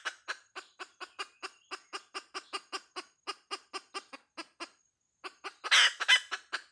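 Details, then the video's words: Hen uttering quick, regular clucks close to three a second, a short pause, then loud, harsh squawking notes near the end. "Suab poj qaib Dib tsauj tuaj"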